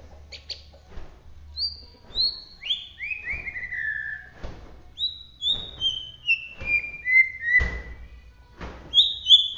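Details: White-rumped shama of the Bahorok type from Medan in full song: clear whistled notes sliding downward in stepped series, each phrase falling from high to lower pitch, over faint background hum.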